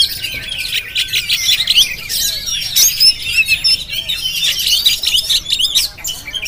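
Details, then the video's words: Quieter continuous song from a Jampang Oriental magpie-robin recorded on a GoPro. Scratchy twitters and thin whistled slurs are woven tightly together, with brief louder peaks throughout. "Penampilan Kacer JAMPANG yang Tampil Menggoda"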